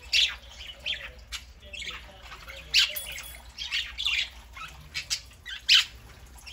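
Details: Several pet parakeets, one a three-month-old, chattering on a Saturday morning: scratchy squawks and rapid warbled notes coming irregularly, some calls louder and sharper than others.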